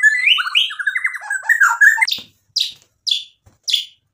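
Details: White-rumped shama singing a fast warbling phrase of varied whistles and trills, followed by four short scratchy notes spaced about half a second apart.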